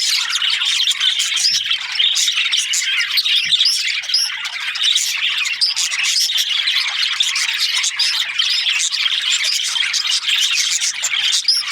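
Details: Budgies chirping as a flock, a dense continuous wash of high scratchy chatter and squawks with short whistled notes over the top, steady and loud throughout with no pauses.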